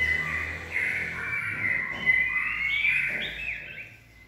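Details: White-rumped shama, steely-voiced and at its peak, pouring out a continuous warbled whistling that wavers up and down with short bright flourishes, against a faint noisy background.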